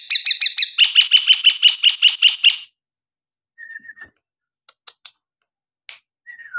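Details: Nias hill myna song as a prompt for quiet birds: a fast run of about fifteen repeated buzzy, ringing notes, then soft, level whistles and faint clicks.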